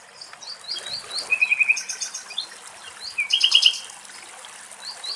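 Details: Common Nightingale song recorded in Axios Delta National Park, Thessaloniki, Greece: a series of rising whistled notes, then quick runs of four or five sharp repeated notes, with pauses between phrases.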